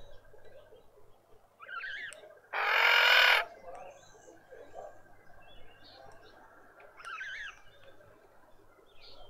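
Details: Red-winged starling female coping with an injured, deformed beak in a suburban garden in Pretoria, South Africa: two short wavering whistled phrases about five seconds apart, with a loud harsh rasping burst between them and faint background hum.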